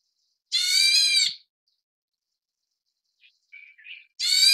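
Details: Nestlings of the Taiwanese black bulbul subspecies nigerrimus during feeding give two loud, raspy, drawn-out calls about three seconds apart, with faint short chirps in the quiet gap.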